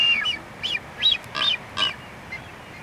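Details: Blue-footed boobies performing a courtship dance give spaced, harmonic whistled notes with slight downward slurs, about two per second, the later ones fainter, against a constant hiss of outdoor background noise.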